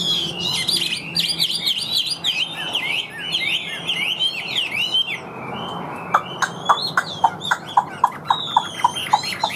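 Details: Caged Chinese hwamei. Rapid, tumbling whistled song fills the first half. It then fades, and a regular series of sharp ticking clicks repeats several times a second.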